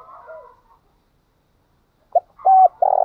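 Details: Provoking song from a spotted dove: soft distant cooing, a pause, then a loud short note, a level hollow coo and the start of a rolling, purring coo.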